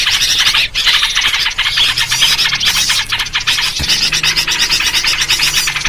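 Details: Noisy yellow-vented bulbul sound used as a bird-trapping lure, a steady mass of overlapping bubbly chirps and squawks from many birds, loud throughout with one short dip early on and a click near the end.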